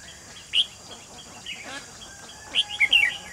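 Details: Red-whiskered bulbul at a trapping site with a lure bird, 28 June 2020: a single sharp chirp, then after a pause a quick tumbling phrase of three or four sweet slurred notes.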